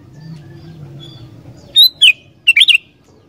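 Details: Wild-bulbul lure of an actively singing sooty-headed bulbul: after a quiet lead-in with low hum, two bright slurred whistles followed by a fast trio of liquid, bubbly notes.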